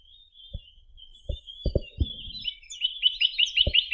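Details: Chinese nuthatch singing a rapid trill of repeated rising notes in the final second, after a run of dull low thumps and a soft thin whistle.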